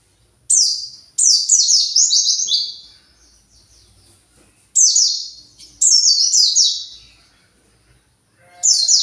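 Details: Caged white-eye, agitated and searching for its flock, gives loud high chattering bursts of rapid descending buzzy notes, three phrases separated by pauses, with a fourth beginning at the end; quiet background.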